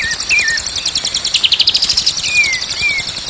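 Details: Continuous high rattling trill of a white-rumped shama with soft whistled slurs beneath, including wavering notes and a long gliding falling whistle near the end; recording meant to train birds to sing.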